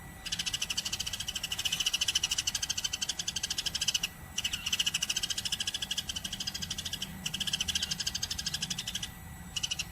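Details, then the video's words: Sparrow chirping energetically without pause, used as a tutor recording for magpie-robins, canaries and lovebirds: dense, rapid, high trills in long bursts, broken by brief gaps near four and seven seconds, over a faint steady hum. "Greja Gacor"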